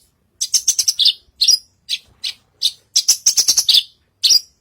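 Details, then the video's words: Horsfield's bush lark, called branjangan, singing vigorously on stage with fast chattering trills and scratchy twittered phrases. Short gaps separate the phrases. "Burung branjagan gacor naik panggung"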